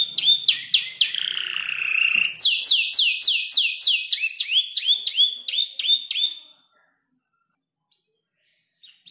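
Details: A canary about five months old, still learning to arrange its song and mimicking ciblek, klik-klik and prenjak lumut tutor birds, sings a fast, high run of rolling trills and repeated downslurred whistles, then stops after about six seconds.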